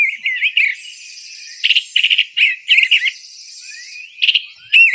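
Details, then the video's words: Eastern Bluebird giving a different song, birds that nested in a box by the house and sing mostly in the morning around their territory; run of squeaky warbled whistled phrases with brief gaps, and a thin high continuous tone running behind. "See, this one does a different song."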